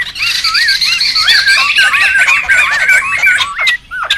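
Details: Laughingthrushes calling noisily in the wild, used for luring and tutoring: a run of bouncing, slurred whistles over constant squawky chatter, ending in a few separate sharp calls.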